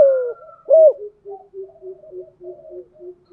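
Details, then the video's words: Decoy spotted dove, 'thổ sấm' voice, for luring wild doves in rainy weather: the tail of a falling coo and one arched hoot, then a steady run of soft, low, evenly spaced pulsed notes. "Chim cu gáy cườm thúc gù bài bản, giọng gáy hay kích bổi hiệu quả mùa mưa gió"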